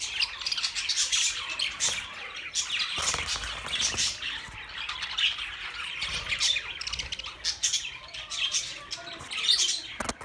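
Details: Unbroken budgerigar flock noise, shrill chirps and raspy squawks tumbling over each other for ten seconds in a dense, even chorus with small peaks throughout.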